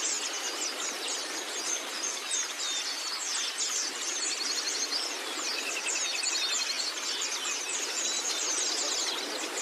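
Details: Oriental white-eye song meant for training birds: busy high twitters and quick chirps layered throughout, with a few clearer rapid trilled bursts and thin whistles standing out midway.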